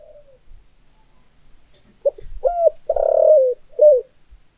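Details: Decoy spotted dove with the thổ voice style, coos after a quiet start: several low hooting notes, a long vibrating drawn-out coo, then a short closing coo.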